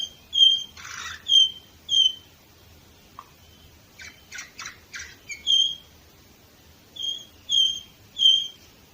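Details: Canary song recorded in 2018 in Varna, Bulgaria: pure high whistles repeated about once a second, broken by a burst of short buzzy rattles, then further sustained whistled notes.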